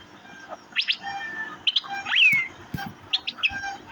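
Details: Cucak biru, or Asian fairy-bluebird: sparse high chirps and one clear whistled note that rises and then sweeps down, with quieter soft notes between.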